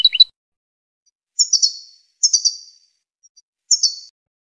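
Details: Song of a Tunisian European goldfinch: a brief high note cluster, then three separate bright, tinkling descending phrases spaced about a second apart, with silence between them.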